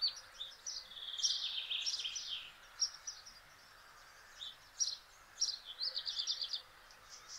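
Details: Male black redstart singing at Simpelveld, the Netherlands, on 12 May 2022, delivering high, crackling, twittering phrases in quick bursts separated by short silences, with the pattern repeating twice over a quiet background.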